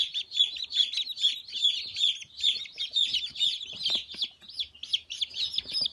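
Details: Newly hatched Dark Brahma chicks peep in a shrill, high chorus of short piercing notes overlapping about two or three times a second, with no crowing heard; recorded 4 March 2018.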